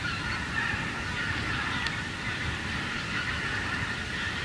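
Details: A flock of wild geese flying over a harvested corn stubble field calls in a steady overlapping chorus of nasal honks, with low rumbling wind or distant noise beneath.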